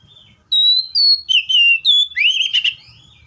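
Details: Seychelles magpie-robin song: a run of five or six loud, clear whistled notes, some sliding and some steady, ending in a rising, buzzier warble. A faint low rumble sits beneath.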